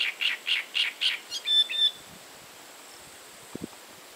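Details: Great reed warbler (Acrocephalus arundinaceus) delivers five harsh, evenly spaced croaking notes followed by a few squeakier, higher notes, then stops, leaving near silence with a faint knock near the end.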